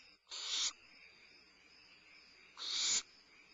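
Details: Limping barn owlet at Starr Ranch having a midnight meal, 22 May 2011, gives two harsh, hissing screeches, each under half a second, about two seconds apart, over a faint steady high hum.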